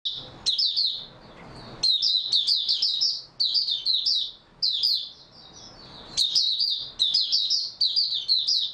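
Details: Oriental white-eye singing, recorded 3 March 2022 after a good night's sleep: bursts of high, sweet twittering warbles, fast chirps in rising and falling phrases, repeated with short pauses and faint background hiss.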